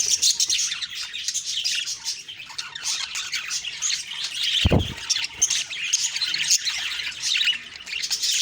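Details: Morning chatter from budgies, many high squeaky chirps and rasping notes overlapping without a break, interrupted once midway by a single dull thump.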